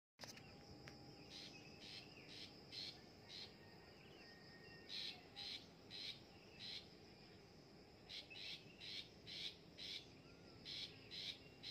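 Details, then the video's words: Long-tailed shrike being trained to sing, giving a long series of short, harsh, scratchy bursts, about two per second, in uneven clusters over a steady background hiss. "DI LATIH BIAR BUNYI BURUNG PENTET"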